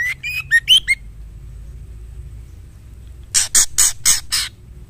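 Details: Calling female white-rumped shama summoning a male: a rapid string of short whistled notes, some rising sharply, then a burst of five harsh grating notes.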